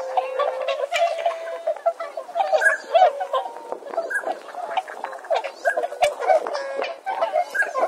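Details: Swans calling together in Saitama, Japan. A dense chorus of nasal, trumpeting honks opens with one long, steady note, then continues as an overlapping jumble of calls.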